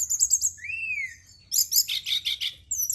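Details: Brown-chested jungle flycatcher singing, used at night to stimulate singing: a high trill, a rising-then-falling slurred whistle, then a cluster of rapid buzzy chattering notes.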